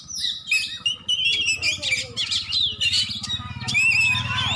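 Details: Champion Oriental magpie-robin from Aceh, Indonesia, singing a dense run of varied high whistles and quick twittering phrases, over a steady low humming drone.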